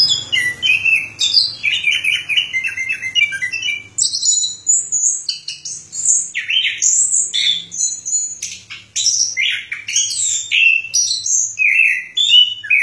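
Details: Orange-headed thrush song: a mid-pitched warbling opening, then dense high twittering and whistled slurs repeated in quick succession.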